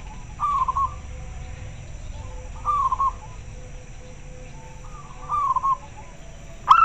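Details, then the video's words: Local zebra dove calling in answer to others: three clear wavering coo phrases roughly two and a half seconds apart, a faint lead-in note before the third, ending on a sudden loud note. "Suara perkutut lokal sangat jernih - denger suara nya pada respon nyaut"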